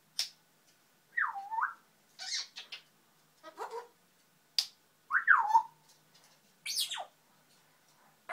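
A grey parrot chatters to itself in irregular bursts about a second apart: swooping whistles, short raspy squawks, clicks and speech-like babble.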